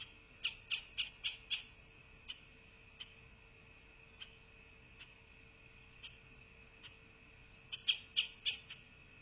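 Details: Bald eagle at a nest camera in a quaint southwest Florida landscape, 8 November 2023 at 12:47: a quick burst of five high, thin chipping notes, then single notes about a second apart, then another fast run of four, over a steady electrical hum.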